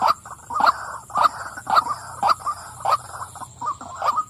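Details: A female white-breasted waterhen calls with about eight loud, hoarse croaks, each a quick double-edged 'wak', spaced a little over half a second apart.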